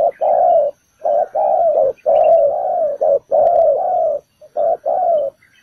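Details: Spotted dove calling as a trap decoy. It gives low coos run close together in irregular short and long notes, nearly continuous, with faint small-bird chirps at the end.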